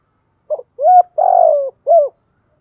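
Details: Vietnamese decoy spotted dove with "giọng thổ" singing, recorded directly from a keeper's bird. One phrase of four low coos: a double-tipped short note, a smooth arching coo, a long buzzy coo sliding down, and a closing arched coo. Nothing else is heard.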